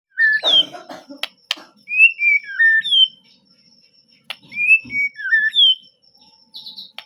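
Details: White-rumped shama in melodious, emotive song: clear whistled phrases that slide and step between middle and high pitches, grouped in two bursts separated by a pause, with a few sharp clicks and some low rustling noise at the start.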